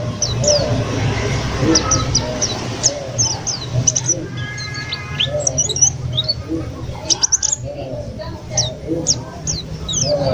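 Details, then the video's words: ['Caged white-eye bought from a bird trader, singing eagerly after only three days at home; rapid high thin chirps and short down-slurred notes in quick bursts, with a brief buzzy trill midway, over a steady low hum.'] "PLECI baru 3 hari di rumah langsung GACOR"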